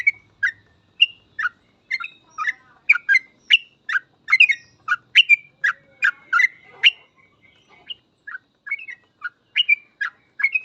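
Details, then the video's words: Sooty-headed bulbul in gacor ropel song, recorded as a master for teaching other bulbuls. An unbroken sequence of bright, bubbly chirps falls about every half second for the full stretch, with brief thin whistles in between. "Suara trucukan gacor full ropel ini cocok banget buat masteran trucuk agar cepat ikut ropel"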